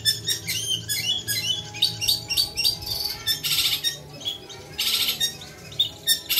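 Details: Long-tailed shrike in full, lively song: rapid varied high chirps, sharp clicks and short trills in dense bursts, with brief rasping, noisy notes and a low steady hum underneath.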